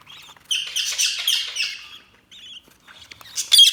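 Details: Budgies chatter in a dense, scratchy, high warble for about one and a half seconds, then a short pause, a brief buzzy note, quiet twittering, and a final loud, sharp chirp.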